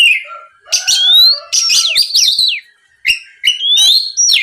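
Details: Lure song of an Oriental magpie-robin meant to provoke rivals into singing: clear rising whistles and sliding notes alternate with scratchy chattering bursts and a brief pause near the end.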